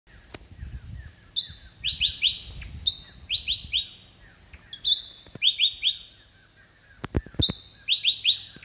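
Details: Short-tailed green magpie at Kinabalu Park, Sabah, giving chirpy, loud calls: a high whistled note followed by three or four quick falling chirps, in bursts repeated several times, with faint low rumble in the background.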